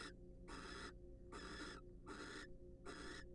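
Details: Rapid grating screeches come from wild barn owls during preening and courtship in a monitored nest box. Five harsh bursts arrive in just over three seconds, with the first clipped, over a steady hum.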